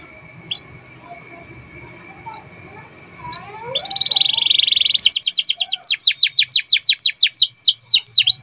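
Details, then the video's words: Canary training song for other birds: faint scattered notes over a low background hum, then a buzzy phrase building into a loud rapid trill of downswept notes. "KENARI GACOR DOR 2 JAM FULL TANPA IKLAN"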